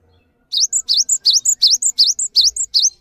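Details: Cinereous tit, kept for tutoring other songbirds, singing a fast run of paired notes: a sharp dipping-and-rising sweep followed by a short high whistle, roughly three pairs a second for two and a half seconds in a quiet setting.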